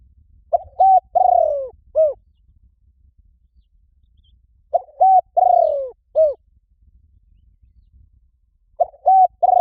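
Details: Spotted dove luring call for wild doves, repeated about every four seconds: each phrase has two short mellow coos, a long throaty falling coo and a final short curved note, with quiet pauses between.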